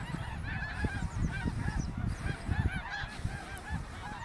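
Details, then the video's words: Greater snow geese migrating through Ottawa, Canada, in autumn 2021, hundreds of thousands flying overhead; a dense chorus of overlapping nasal honks and yelps from many birds at once, with low rumbling noise beneath. "Snow Geese Migration Fall 2021"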